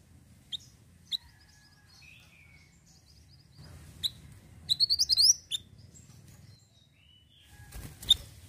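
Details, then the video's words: Ashy tailorbird, a lure recording: isolated sharp chips, then a rapid string of bright upslurred notes lasting under a second, over faint background bird twitters and a low rumble. "PANCINGAN AMPUH MANTENAN GACOR!!"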